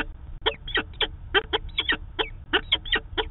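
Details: Peregrine falcon pair meeting at the Manchester, New Hampshire nest site on 2 September 2018, live camera: slower, drawn harsh notes with downward slurs, about three a second.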